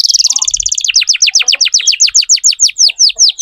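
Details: Canary song used to tutor young canaries, from a vigorously singing lure bird: a fast high trill of about twenty notes, then a slower run of downward-sweeping whistled notes repeated about six times a second.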